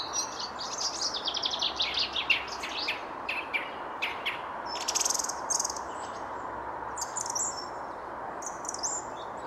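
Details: Song thrush, one among many, singing in the King's Garden at the Palace of Versailles, France, on 19 February around 9:30, misty weather broken by sunshine; quick high chirping notes, then short bright phrases repeated, over a steady low background hum.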